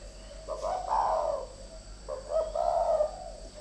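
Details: Spotted dove, one of two decoy birds fighting: two low, throaty cooing phrases, each a short clipped note followed by a longer rolling coo, about a second apart, with faint steady hum behind.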